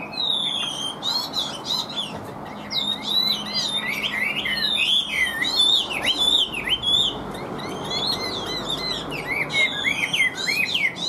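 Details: Caged Chinese hwamei pouring out an even, unbroken song: fast, looping whistled notes rising and falling, mixed with sharp high chips, over a low steady hum.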